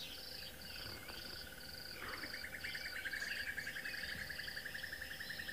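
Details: Crested barbets at sunrise on 10 March 2024 in a reserve on the western edge of Greater Kruger, possibly shouting at a brown snake eagle: a long, fast, even trill like a ringing alarm clock, over a steady, higher pulsing insect chirr.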